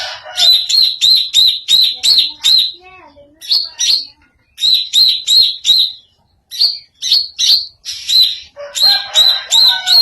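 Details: Greater green leafbird with an unusual voice: bright whistled notes near the top of the range, repeated about three per second in runs of several, broken by short pauses and a few lower slurred notes.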